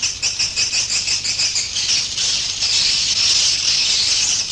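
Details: Swiftlet roosting-lure sound for a three-storey swiftlet house: high, thin chirps, pulsed rapidly at first, then blurring into a dense, continuous twittering chatter.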